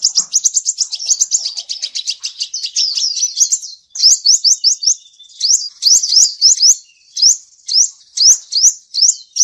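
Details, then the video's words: Male seven-coloured sunbird, whose song is used as a lure for trapping, giving fast trills of high, thin, upslurred whistles, then sharper rising notes in short bursts separated by brief pauses. "Tiếng chim hút mật 7 màu trống dùng đi bẫy chuẩn"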